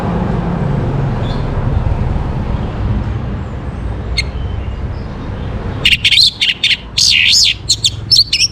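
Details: Morning song of an Orange-headed thrush: about six seconds of low rumbling noise with a faint chirp, then a sudden burst of loud, looping whistled notes repeated in quick succession to the end.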